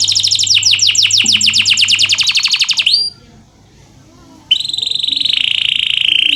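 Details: Tutor song of a canary meant to get idle canaries singing: quick repeated downward-sweeping notes, a rising slur, a short silence, then a steady buzzy rolling trill.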